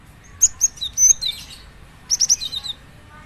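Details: Java sparrow singing a sound meant to set other Java sparrows singing: two bursts of sharp, high clicking chips with thin whistled notes, the first near half a second, the second after two seconds, over a quiet background.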